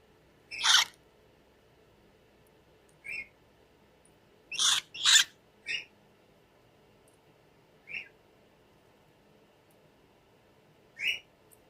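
A cockatiel gives short, harsh screeching calls at irregular intervals, some louder and raspier than others.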